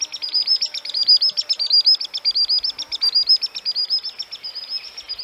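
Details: Displaying Common Sandpiper in Central Russia, a fast unbroken series of high, shrill piping notes that rise and fall slightly in loudness, pouring out continuously for several seconds against a quiet background.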